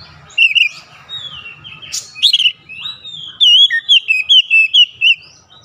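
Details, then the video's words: Oriental magpie-robin (kacer), a caged bird singing loudly to challenge a rival: varied whistled phrases with rich harmonics, sliding notes and a run of repeated loud chirps near the end, low background hum. "PANCINGAN KACER LANGSUNG GERTAK LAWAN | LAWAN PUN BALAS GERTAK GACOR BONGKAR ISIAN"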